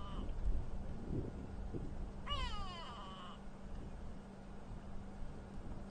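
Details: A Grey Go-away-bird (grey lourie) vocalizes in real time during a sunset safari drive, one nasal, drawn-out, cat-like wail lasting about a second, over a low engine rumble and a steady hum.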